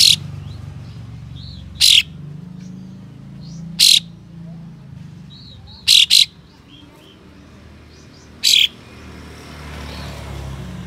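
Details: Harsh, spicy 'besetan' shots from a kapas tembak, used to provoke rival birds into tail-spreading: short single or doubled rasping bursts at irregular intervals of about two seconds, over a steady background rumble.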